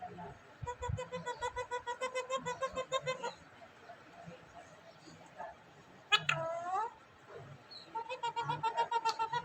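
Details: Pet talking parrot in Vehari, Punjab, Pakistan, recorded on a mobile phone, produces fast pulsed chattering runs at the start and end, with one loud falling harmonic call between them.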